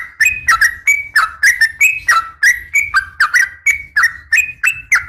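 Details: Sooty-headed bulbul female calling to a male, giving rapid harsh chirps that slur downward, roughly three to four notes each second, with a faint low background hum.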